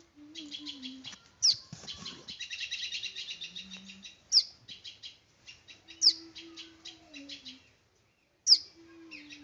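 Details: Small bird chattering in fast trains of high chirps, broken by four sharp downward-sweeping whistles, with brief pauses and a low steady tone in the background.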